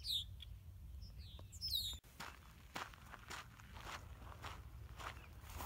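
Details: Red-winged blackbirds following and checking out a hiker on the Buckeye Trail's Norwalk section in Ohio give several high, thin, down-slurred whistled calls in the first two seconds, then crunching trail footsteps take over.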